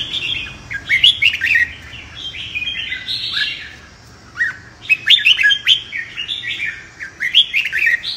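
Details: Training recording of a red-whiskered bulbul's competitive fighting song: energetic, jumbled whistled phrases with sharp upward notes, briefly quieter midway before resuming.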